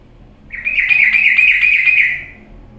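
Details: Sooty-headed bulbul on a lure track intended to spur idle birds into fierce song: a single rasping, buzzy phrase of about a second and a half, loudest in the middle, fading away.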